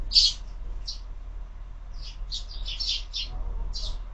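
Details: Sparrows feeding at a window feeder in the morning: a sharp opening chirp, a single note, a pause, then a short cluster of chirps and one last note.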